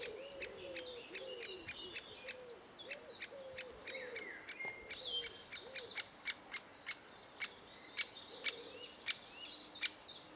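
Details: Great spotted woodpecker adults feeding chicks in June 2011: sharp, clicking kik notes repeated at an uneven pace among thin, high chirping, with a low, wavering cooing in the background.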